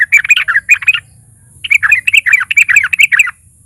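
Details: Lure song of a vocally active sooty-headed bulbul meant to set other bulbuls singing: a short burst of bubbly chirps, a half-second gap, then a longer run of varied, jerky chirping notes over a constant thin whine.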